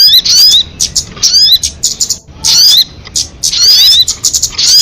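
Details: Crested jay, locally sogon, on an MP3 lure track: grating, crackling bursts with high, slurred whistles, clustered in groups with a clear pause near the middle.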